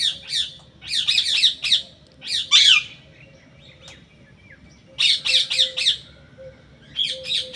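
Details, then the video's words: Parrot giving loud, harsh, raspy squawks in rapid bursts of four to six notes, with one drawn-out screech in the middle and short pauses of near silence between the bursts. "Raw parrot"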